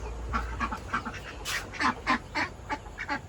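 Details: A flock of domestic ducks kept by a village household in Bangladesh quacks in the morning in quick, nasal, overlapping bursts, several calls each second, with a person talking faintly in the background.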